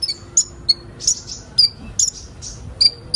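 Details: Sunbird recorded to get young birds singing: high piercing chips and short trilled whistles, some drawn out and fading, in uneven bursts about every half second.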